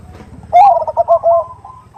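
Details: Perkutut, or zebra dove, in a 'khung' lure call said to be a female calling a male: one strong, slightly hoarse coo breaking into a quick stuttering string of rolling notes lasting about a second.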